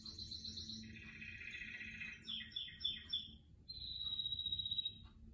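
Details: Near a collection of plants, a canary delivers a high trill, a lower buzzy rolling phrase, four quick descending slurred notes, and then a steady whistled trill lasting over a second.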